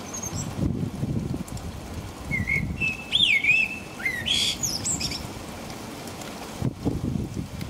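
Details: Rainy night in England around five o'clock: a blackbird gives one rich, fluty, rolling phrase with a sharp high flourish at its end, then rain and low rumbling noise continue alone.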